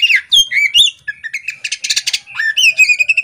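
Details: Female poci-type Oriental magpie-robin chattering with spread tail: rich downslurred whistles, a burst of harsh buzzy notes, then a clear sustained whistle with quick trailing chips.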